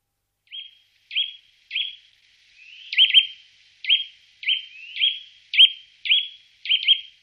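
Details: Eurasian nuthatch in the Wittlicher Tal, 2018, repeating short, sharp, upward-flicked 'twit' calls, often doubled, roughly every half second, with quiet surroundings.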